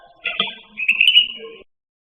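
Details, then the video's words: Cucak rante singing as a model for training pet songbirds: a short rough note and then a sustained whistled trill, fading into silence. "Suara Burung Cucak Rante"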